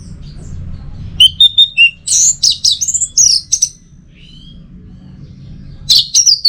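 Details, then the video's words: Orange-headed thrush song, 'teler' style, for tutoring and prompting birds to sing: a few short rising whistles, then a dense burst of high buzzy warbled notes, silence, and a final loud high flourish. "Masteran sekaligus Pancingan Burung ANIS MERAH Agar Selalu Bisa Menikmati Telernya setiap saat"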